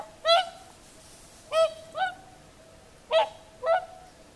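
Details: Whooper swans singing on Lake Saimaa, Finland, in the evening at sunset: five loud, nasal, trumpet-like honks with bright harmonics, spaced irregularly about half a second to a second apart, over quiet lake ambience.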